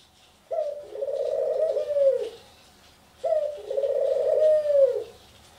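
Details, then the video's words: Male Ringneck dove, known as a love dove, kept in a home and making an odd, witch-like noise: two long, low, rolling coos, each about 1.7 seconds, opening with a bright note and sliding down at the end, a second apart. "Witch Sounding Love Dove"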